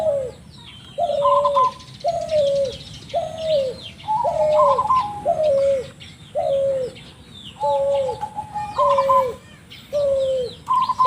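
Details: Spotted dove with an odd voice, recorded to lure others: steady run of short, falling coos about one per second, some overlapped by a brief higher trilled note, and soft high twitters of small birds.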